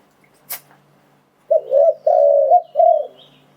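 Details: A single spotted dove phrase used to lure wild doves: a sharp click first, then soft stuttering coos leading into a long sustained coo and a final falling note; a faint thin whistle at the end.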